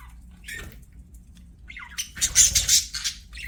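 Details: Playing budgies chattering: a short rising chirp, a brief pause, then a dense burst of loud, harsh, grating squawks and warbled notes tumbling over one another.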